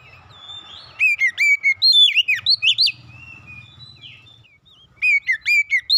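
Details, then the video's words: Oriental magpie-robin, a household kacer, singing lively song to draw other birds into song: a fast run of about ten loud, swooping whistled notes, a softer warble, then a fresh series of clear whistles. "kicauan indah memancing suara Kacer rumahan ikut gacor"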